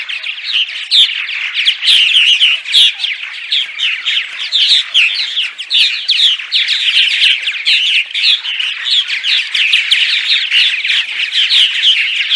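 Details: Predawn singing of purple martins that draws arriving migrants to a nest site: a long, unbroken chorus of crackling chirps, churring trills and gurgled notes, many birds overlapping, loudness rising and falling gently.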